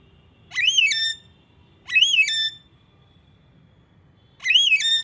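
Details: Pet Alexandrine parakeet producing three loud, rising-then-wavering whistles with rich overtones, the first two about a second apart and the third after a longer pause, in a quiet room.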